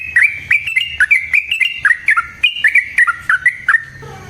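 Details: Sooty-headed bulbul song for luring and training other birds: lively chirped notes, each sliding down then up, delivered about four per second in an uneven, bubbly run.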